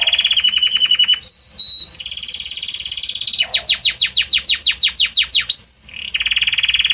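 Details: Belgian canary song, harmonious and varied: a rolling trill, a clear whistled note, a dense high buzz, about a dozen fast descending sweeps, a rising whistle and a final trill.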